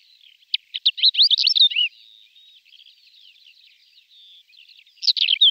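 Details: Male greater short-toed lark singing in flight, song including mimicry: a burst of rapid high twittering and slurred whistled notes, a quieter thin warbling stretch, then another loud chattering burst at the end.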